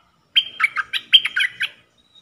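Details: Red-whiskered bulbul kept in a cage as a trapping decoy, dok taeng song style. It gives a rapid, rich phrase of about eight liquid, up-and-down notes, loud and close, over a silent background.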